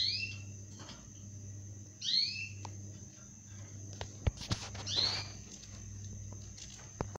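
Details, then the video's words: Zebra finch nestlings at six days of age produce three harsh, downward-sliding squeaky calls spaced two to three seconds apart, with background hum and several sharp clicks. "صغار طائر الزيبرا فينش في اليوم 6 من عمرها"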